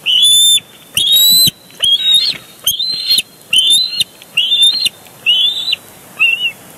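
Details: Big Bear Lake bald eagle nest, 23 June 2022, with a live cam watching a fight over a large fish: a rapid string of eight piercing whistled squeals, each rising slightly, some with harsher edges.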